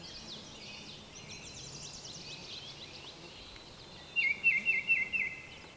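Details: Baltimore oriole (Icterus galbula) song: a quick run of about six clear, mellow whistled notes near the end, over faint high twittering from other small birds.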